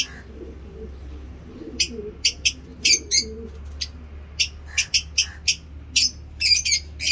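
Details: Caged breeding lovebirds give short, high, clipped chirps, singly and in quick pairs, growing more frequent toward the end, with a steady low hum underneath.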